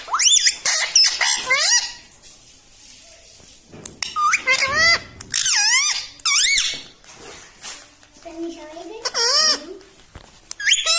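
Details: Pet parrot chattering its words, said to be "mitthu mitthu" and "mummy": bursts of squeaky, wavering, harmonic syllables in rapid clusters with short pauses, indoors.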